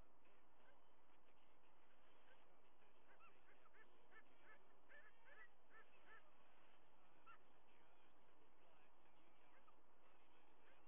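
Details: White-bellied sea eagle at a nest on a day of several fish deliveries and peaceful feedings of two eaglets; a run of short, goose-like honking notes clusters mid-clip, rising and falling, over steady broadband hiss.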